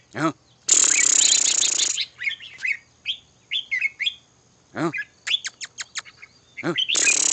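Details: Red-whiskered bulbul giving bright, clipped whistled phrases and rapid chirps, about four per second, between long bursts of hissing noise and two low, rich voice-like calls.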